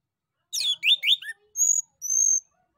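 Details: Male orange-headed thrush singing a lure song meant to draw answers from other birds: a quick run of slurred, descending whistled notes, then two clear, high, level whistles, each held for a fraction of a second. The background is quiet.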